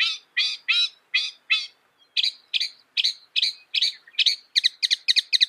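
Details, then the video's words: Northern mockingbird (Mimus polyglottos) song delivered in repeated sets: four or five identical harsh, buzzy notes, then a new note type repeated six times, then a faster run of crisp doubled chips. "Masteran Burung Kicau Mockingbird Gacor - Mockingbird Bird Sound"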